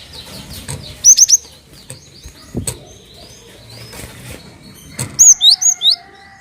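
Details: Cinereous tit used as a lure to prompt other birds to sing: two bursts of three sharp, high whistled notes, rising then falling, about four seconds apart, over faint background chirping and low rumble.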